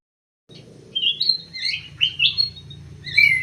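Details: Emprit sawah munia chirping: quick bright rising and falling notes in a close cluster, ending with a sharp downward slide, over a low rumbling background.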